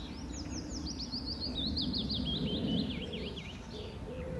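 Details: A male willow warbler, singing from the treetops on his territory near the pond at Standalone Farm, Letchworth, in June 2014, gives a sweet, liquid phrase cascading downward over about three seconds, over a low rumble of wind or distant traffic.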